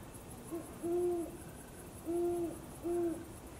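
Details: Great horned owl at Stow Lake's Strawberry Island, Golden Gate Park, San Francisco, during a spring or summer evening: deep, soft hoots in a short series, one brief note then three longer, even hoots about a second apart.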